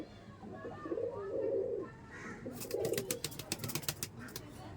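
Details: Teddy Kamagar pigeons kept at a home loft offering them for sale, reached from Sealdah towards Barasat; two short throaty coos, then a quick run of sharp clicking or flapping noises.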